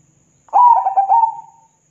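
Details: Zebra dove singing to provoke other doves into answering. A single phrase of rapid, stuttering coos that settles into a smooth, long, even tone; faint low sounds before it starts.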